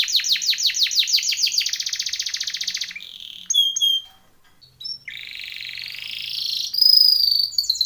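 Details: Timbrado canary singing a training song: rapid falling notes run into a buzzy trill, then scattered chips, a rolling trill and a clear high whistle.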